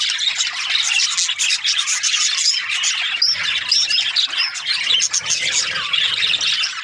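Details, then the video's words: Many Australian budgerigars keep up busy, overlapping chatter of high chirps, squeaks and short whistled slurs, steady throughout with slight dips in loudness. "Australian budgies chirping sounds"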